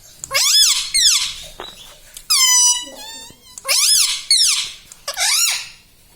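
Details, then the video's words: Ringneck parrot kept as a pet, voicing loud rising-and-falling squawky phrases, including one long wavering, trilled call in the middle, repeated several times in a small room. "bolne vala parrot || parrot talking everything"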